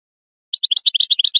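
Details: Goldfinch song from a tutoring recording meant for teaching chicks and songbirds: after a brief silence, a quick run of bright, high twittering notes with tinkling overtones, closely spaced and varied, with no other sounds.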